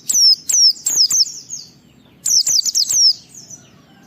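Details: White-eye song bursts used as a provoking lure for other white-eyes; two short groups of clear, high descending whistled chirps, each burst of three to five notes separated by a brief quiet gap.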